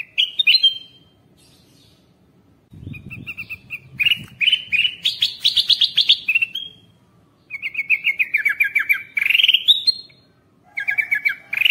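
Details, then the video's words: Bulbul lure call used to attract wild birds: sharp whistled notes, then long rapid trains of bright chirps that rise and then fall. The phrases are separated by short gaps, with a faint low rumble at times. "Kutilang Emas, Masteran Pikat"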